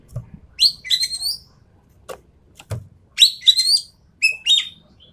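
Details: Endemic Sumatran treepie in lure and tutor audio: rough, nasal, buzzy notes with rich overtones given in short bursts of two or three, separated by sharp clicks and brief pauses.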